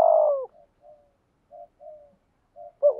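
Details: A caged decoy spotted dove coos in the rainy season to attract wild birds: one loud falling coo opens, followed by a run of soft, short, low coos, then a louder note starting at the end.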